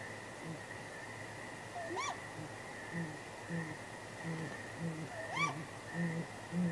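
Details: Great grey owl pair at their nest after dark, 23 April 2019, with contact hoots, response and possible mating; deep hoots in a loose series alongside two higher, rising-falling wailing calls, steady electrical-like hum throughout.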